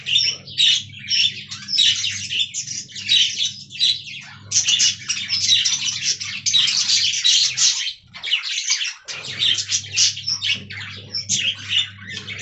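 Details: Budgies chattering in a colony aviary: long stretches of bursty, high, scratchy warbling and chirps, a quieter gap around eight seconds, and a constant low humming background.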